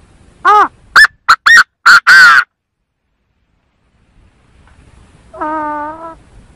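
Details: Lure call of the Chinese francolin for bird trapping: one harsh, staccato phrase of five notes ending in a longer rasping note, followed after a silence by a faint, even, drawn-out tone.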